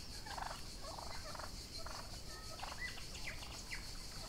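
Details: Young Royal Palm and Broad Breasted White turkeys grazing outdoors in summer, several soft rattling gobble bursts over a loud steady insect drone, with a few thin bird whistles.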